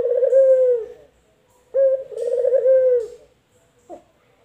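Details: Male puter, a collared dove of local or white variety, singing: a sliding coo, then a second coo with a short lead-in note and a rolling, trembling body, then a faint short note.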